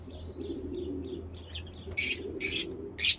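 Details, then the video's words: Lovebirds kept as pets, chirping: a run of soft high chirps, then three loud harsh bursts near the end, over a low steady hum. "lovebird sounds for lonely bird lovebird chirping sounds"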